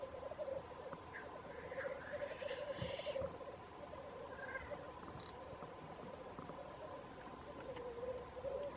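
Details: Black grouse at Wrexham, a fainter continuous low bubbling murmur under steady background hiss, broken around the middle by a short harsh rushing hiss and a few higher chirps.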